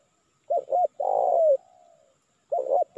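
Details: Lure call of a spotted dove played to call in wild doves. One full phrase of two quick bent coos and a drawn-out descending coo trailing off softly, then the opening coos of the next phrase.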